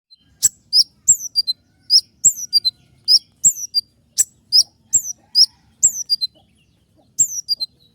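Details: Wild sunbird, used as a lure for songbirds: very high, thin, sharp chirps sliding down in pitch, in quick clusters of two or three notes, mixed with dry clicks over eight seconds.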